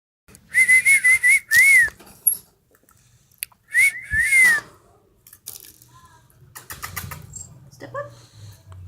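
Budgerigar chatter: wavering whistled notes mixed with scratchy, buzzy bursts in quick succession.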